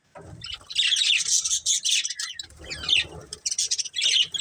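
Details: Breeding pair of colourful budgies chattering in rapid, raspy chirps and squeaks, in long runs broken by a short pause, with faint low rumbling underneath.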